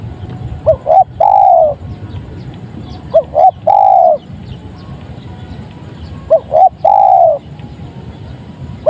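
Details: Spotted dove, locally tekukur, cooing in phrases of two brief notes and a longer falling coo, three phrases spaced a few seconds apart, with a soft background hiss.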